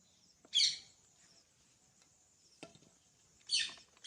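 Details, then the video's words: Pet green parrot, coaxed by its owner to talk, giving two harsh, screechy squawks about three seconds apart, with a faint click between and a steady high hiss behind. "Green Parrot Talking Natural Sounds"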